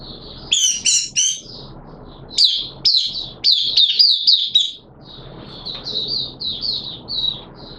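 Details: Oriental white-eye kept by a bird hobbyist, caged, singing in wet weather in a 'buka sing' session; loud buzzy chattering bursts first, then sharp high chips and a run of softer, fast, wavering warbled notes.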